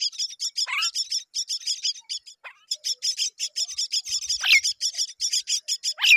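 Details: Myna chicks beg with a continuous stream of rapid, high, scratchy chirps, broken by a few harsher downward-sweeping squawks, as both parent mynas arrive to feed them.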